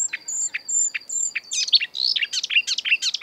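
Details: Marsh warbler, a species that copies European and African birds, singing in the breeding season: spaced high whistles alternate with short dry notes, then a dense burst of varied twittering phrases.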